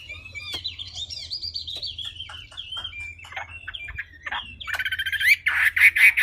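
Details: Wambi heard more softly: a wandering series of thin whistled and chirped notes over faint low hum, ending in loud harsh repeated bursts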